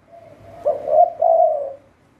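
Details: Single cooing phrase from a spotted dove kept as a decoy bird for trapping: a faint lead-in, then two soft, steady low coos lasting about a second.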